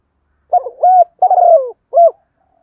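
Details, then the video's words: {'caption': 'Spotted dove kept as a decoy, calling to lure wild doves: three low cooing phrases, the middle one longest and gently falling, clear and with no background sound.'} "cu gáy kích boy"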